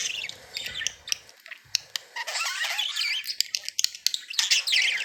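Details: Happy budgerigars chatter constantly with fast clicks, ticks and high squeaky warbles, the sound growing busier in the second half.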